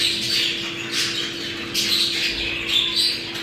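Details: Several budgerigars warble and squawk in a mating sound used to trigger breeding condition, with brief whistled notes and a constant low hum.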